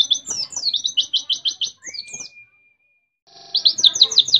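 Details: Fast, high, buzzy trill from a white-eye of Mount Ciremai, West Java, copying canary song, with notes about three per second, a sweeping note, a long faint flat whistle, silence, then the trill resuming.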